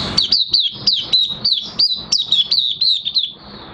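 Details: Oriental white-eye in minor moult, kept in a cage, singing about three high, thin, downslurred chirps per second in a bright, steady twittering run.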